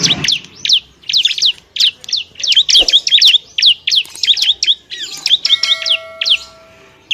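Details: Bar-winged prinia song used as masteran, a training recording for other songbirds: fast series of sharp, high chirps and down-slurred whistled notes in bursts, with a few steady thin tones near the end.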